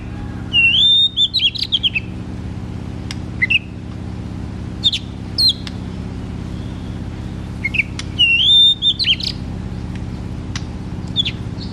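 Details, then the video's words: Oriental magpie-robin in vigorous, non-stop ngeplong-style song, used to stir lazy or untrained magpie-robins into singing. Clear whistled phrases with rising, slurred notes, repeated in bursts, over a steady low hum. "KACER GACOR TERAPI KACER MALAS BUNYI"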